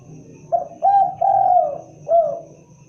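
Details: Spotted dove (tekukur, derkuku) giving its typical call: a short coo, a clearer coo, a long drawn-out mellow coo, then a final falling coo, all low and soft over a faint hum.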